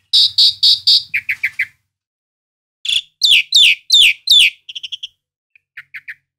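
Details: Asian pied starling singing rapid harsh repeated notes, then a string of grating calls and short clear whistles broken by brief silences.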